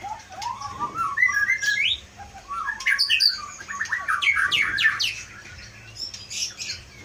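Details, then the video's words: White-rumped shama, wild-caught in Aceh and kept caged, with above-average mimicry; a long varied phrase of rising whistles, stacked quick chirps and sharp high notes, trailing into softer twitters. "Murai batu aceh leuser Pining"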